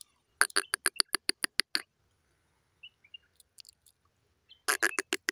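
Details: Grey francolin pair calling, with a female voice: a rapid run of about ten loud, harsh, broadband notes, then a quiet gap with a few faint chirps, and another burst of harsh repeated notes at the end.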